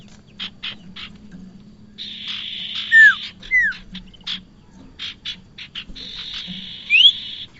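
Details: Bar-winged prinia lure recording: scattered buzzy chips and two long rasping buzzes, with several loud down-slurred whistles and one rising whistle near the end.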